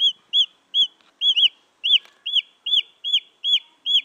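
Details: Wild junglefowl chick peeping, recorded for luring females; around eleven loud arched cheeps, some doubled, repeated rapidly, with faint rustling and clicking noises in the background.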